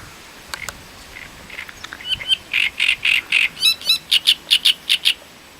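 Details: Song of a great reed warbler from the Voronezh area, Russia, taken in 2012: a few quiet clicks and ticks build into a string of loud, harsh, croaky notes and squeaky trills, repeated quickly and steadily.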